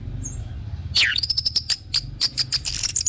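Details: Orange-headed thrush song, played as a lure to set other birds singing: after a quiet start, a rapid run of sharp, very high chirps and thin whistled notes, with a low background hum.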